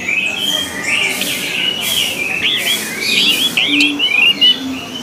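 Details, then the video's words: An orange-headed thrush delivers a continuous string of rolling, looping whistled notes, fluid and varied, with a soft background hiss throughout. "SUARA ANIS MERAH"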